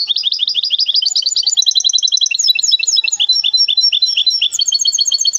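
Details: Goldfinch hybrid from Témara, Morocco, in continuous full song: a steady, high, rapid twitter of trills and tinkling notes, with barely a pause throughout and no other clear sounds.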